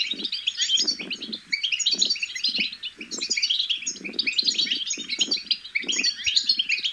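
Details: European goldfinch chick song, the bitbita, used to stimulate goldfinches to sing. Quick, bright twitters come in loose bursts about every second, with low bumping noises below.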